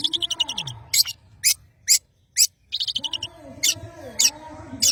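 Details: Long-tailed shrike, a Madura bird, singing strongly: opens with a fast rattling trill, then scattered loud rasping notes separated by silences, and another chattering trill and harsh bursts, over faint low wavering tones.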